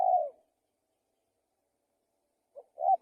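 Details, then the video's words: Spotted dove calling actively, a low hooting coo that drops in pitch, then a long silence before a short two-part coo begins near the end; no other sounds. "Tekukur Gacor"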